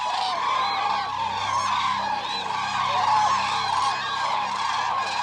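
A flock of common cranes gives loud, overlapping trumpeting and bugling calls, a dense continuous chorus with many birds calling at once.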